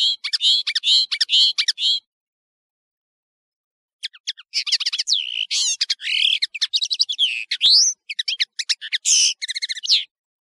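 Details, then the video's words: European serin, called nino in Algeria and kamatcho in Morocco, singing on a tutoring tape for teaching young serins: a short burst of high jingling notes, a two-second pause, then a longer fast, scratchy, twittering run of sharp chirps and trills. "تغريد طائر التفاحي"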